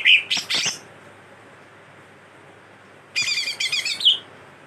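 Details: Greater green leafbird singing talkatively with mimicked cililin and kastem songs: one short volley of sharp, high chips and buzzes, a pause of about two seconds, then a longer scratchy chattering phrase ending in a clear whistle.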